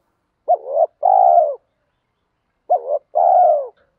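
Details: Spotted dove cooing to stimulate and train newly caught doves: two identical phrases about two seconds apart, each a short rising-falling note followed by a longer level hum, no other sounds.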